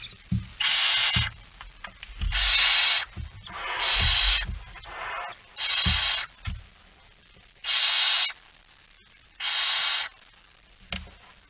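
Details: Night recording from 17 September 2019, 23:55, of barn owl as the male comes in with a mouse: seven harsh, noisy screeching hisses of varying length at irregular intervals, accompanied by low thumps and rustling.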